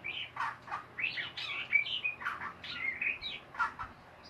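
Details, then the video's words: Chattering ngeriwik song of a white-rumped shama: a continuous, varied stream of whistles, buzzy rasps and rapid slurred notes, pausing only briefly between phrases. "SUARA MURAI BATU NGERIWIK BAGUS DAN MERDU"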